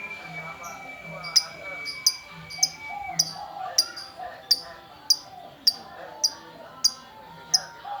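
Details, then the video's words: Female lovebird in full gacor form, sending out crisp high chips about every half second; a steady thin tone hums through the first three seconds and quiet chatter lies below. "Love bird betina gacor"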